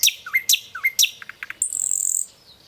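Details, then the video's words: Nightingale singing a varied phrase: sharp high notes and short curling whistles, a few quick clicking notes, then a dense, very high buzzy trill that fades away. "Song of Nightingale _ the best song of Nightingale۔ بلبل کی چہکتی ہوئی پیاری آواز!صدا बुलबुल के गीत"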